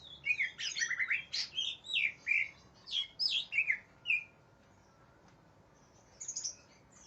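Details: Agitated greater green leafbird looking for a rival: a fast string of varied whistled and slurred notes, some swooping down, others quick chips, lasting about four seconds, then a pause and a short high twitter.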